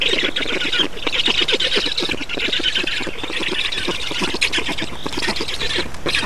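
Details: Black storks in Estonia during feeding, 8 June 2019: harsh, rasping squawks in rapid, steady, dense repetition that continue without a break.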